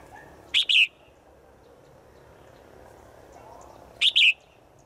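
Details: A female bird calls daily to a male in the forest, giving two bursts of sharp, high double chirps about three and a half seconds apart, over a faint steady background hiss.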